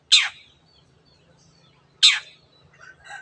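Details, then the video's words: Long-tailed shrike calling 'teot teot': two loud, grating, downward-sweeping bursts about two seconds apart, followed by a faint softer chatter at the end. "cendet gacor teot teot"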